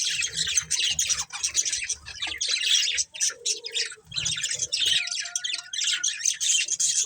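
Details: Budgies chirping almost nonstop, a dense run of high scratchy chatter and squawks, with occasional thin whistled notes and low thumping sounds.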